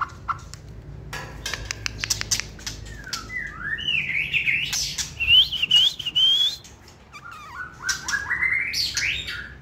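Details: Competition-trained white-rumped shama kept in a cage, singing while held: clicks and ticks give way to warbling, rising whistled phrases around the middle, a pause, then more upward-sweeping whistles and chatter.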